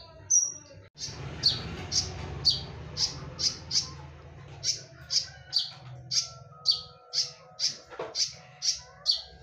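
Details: Konin singing a lively 'tembakan' style song used as a lure: a rapid series of sharp, loud, high chipping notes, about two per second, with a low hum underneath for the first half.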